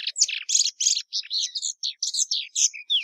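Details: Plumbeous seedeater song: loud, harsh buzzy notes and short slurred whistles in rapid succession, ending with a downslurred whistle.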